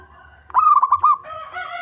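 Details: Local zebra dove with a deep voice, used for luring birds, gives one short phrase of five quick, hooked coo notes. A steadier, lower tone follows.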